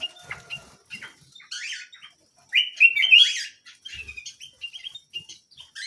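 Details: Small canary singing quick high twitters and buzzy chirps, with a loud rolling trill in the middle and scattered softer chips after, a faint low thump once.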